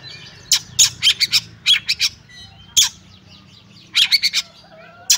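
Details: Oriental magpie-robin in fighting song with full harsh bursts, used to test the nerve of other magpie-robins: loud, rasping broadband notes in quick clusters of three to five, separated by short pauses, with faint thin whistles between.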